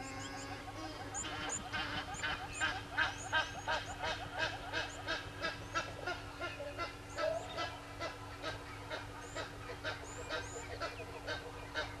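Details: Several helmeted guineafowl at Gowrie dam waterhole, Djuma Game Reserve, Sabi Sand, South Africa, at 06:30 on 18 July 2020 give harsh, rapid cackling calls, about three a second.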